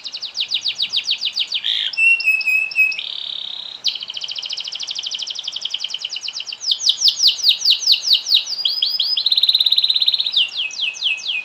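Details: Canary singing a long, lively song meant to prompt other canaries to sing: rapid trills and rattles, sweeping down-slurred notes, a steady buzzy tone and bright whistles shift phrase to phrase, all loud and high-pitched over a quiet background.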